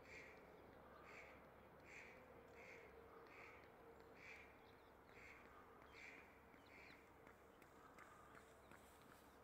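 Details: Rose-ringed parakeets mating near their nest in February, the male feeding the female; harsh, squawking notes repeat about once a second over steady background hum, with jackdaws around.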